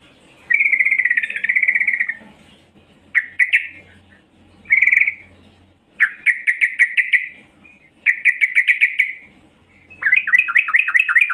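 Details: Female yellow-vented bulbul calling to lure males: bursts of rapid chattering notes around a steady mid-high pitch, each lasting about a second, separated by short pauses, with faint low hum beneath.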